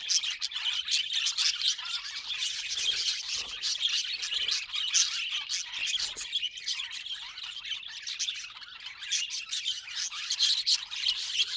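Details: Budgerigar chatter sustained for over ten seconds: a steady, scratchy warble of high chirps, squawks and clicks running together without pause, with only small swells in loudness.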